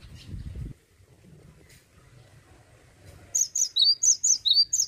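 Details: Male gelatik batu, or cinereous tit, in full ngeplonk song: near-quiet background, then a sudden run of about six rapid high-low whistled phrases.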